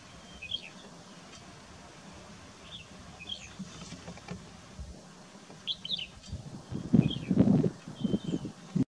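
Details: Rufous-tailed lark calling in fog, giving short, high, sharp chirps in small clusters scattered through the recording, over a low rumbling background with louder low murmuring noise toward the end.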